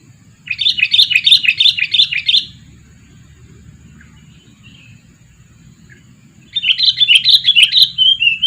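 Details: Decoy sooty-headed bulbul, two years old, for luring birds: a two-second burst of rapid chirpy chatter, several seconds of near silence, then another lively chattering burst.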